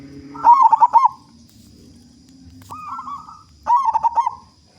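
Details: Local zebra dove with a large voice, singing to spur others: two loud, fast-pulsed rattling coo bursts a few seconds apart, a softer smooth coo between them, faint low hum behind.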